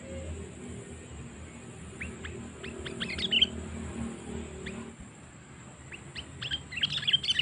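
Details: Lure call of the sooty-headed bulbul for catching wild birds: spaced sharp chirps quickening into bright bubbly flourishes, a pause, then more chirps ending in a louder warbled burst.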